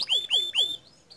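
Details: Bottle-green canary, whose bursting song agitates other canaries, gives three quick clear whistles, each sliding sharply downward, followed by faint high notes.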